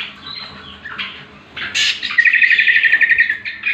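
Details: Leafbird song used to train other birds: soft scratchy notes, then a loud burst followed by a fast, evenly trilled series of clear chirps.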